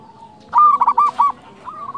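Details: Local zebra dove, described as loud-voiced and in full song, used to lure doves and tutor quiet ones: a rapid series of rolling, pulsed coos near one pitch, then a shorter fading phrase after a brief pause.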